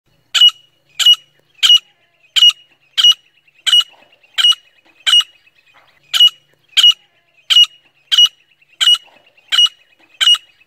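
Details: Female grey francolin calling non-stop in jungle, used for hunting: sharp, high, clipped notes repeated at a steady pace of roughly one every 0.7 seconds over a quiet background.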